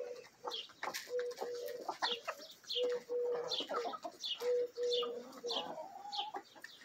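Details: Mixed backyard flock of a Bielefelder-Marans rooster and hens at feeding time; repeated sustained even-pitched croons alternate with quick high chirps and scattered clucks.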